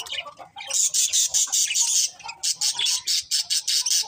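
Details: Budgerigar chirping: loud, rapid scratchy chatter in fast pulses, a sustained buzzy stretch followed by evenly spaced harsh bursts about five per second, with softer lower notes underneath.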